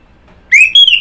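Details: Orange-headed thrush singing two loud whistled notes, the first rising, the second high and slightly falling, following a quiet start.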